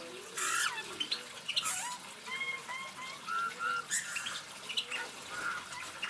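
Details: Eurasian bullfinch singing with brief piping whistles, paired or in short runs, several curving slightly up or down, heard against loud intermittent rustling and water-like splashes that break in repeatedly.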